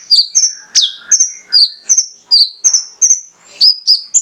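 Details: Male mangrove whistler in lively full song, used to provoke sunbirds into singing: high, clear whistled notes, many sliding downward, given in quick pairs and triplets roughly every half second, with one sharp upswept note.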